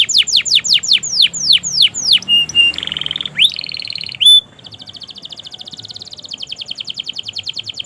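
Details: Long canary song used to stimulate stuck and young birds: downward whistled sweeps, then harsh buzzy and squeaky notes, a pure held tone, and a soft rapid trill.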